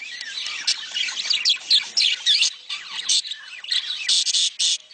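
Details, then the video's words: Budgerigar mating chatter meant to encourage breeding. Rapid high warbles, chirps and short squawks come from several birds at once, about four bursts a second, with no pause. "صوت تزاوج العصافير الاسترالي محفز ليهم"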